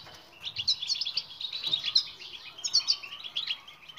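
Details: European goldfinch in full batbata twitter, recorded to train silent goldfinches to sing: an unbroken stream of bright, chattering notes and buzzy trills, louder in waves every second or so.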